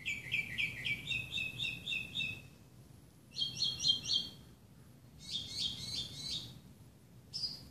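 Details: Morning singing by a Northern mockingbird in Burbank, California, 1 July 2016: bursts of rich, rapidly repeated notes, changing from a lower warble to higher chattering phrases between short silences.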